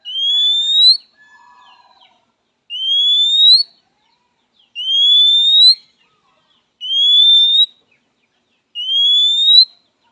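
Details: Oriental magpie-robin giving its typical call to summon a rival, said to draw quick responses from males and females: five long, clear, slightly rising whistles, each about a second, repeated roughly every two seconds, with faint soft notes between.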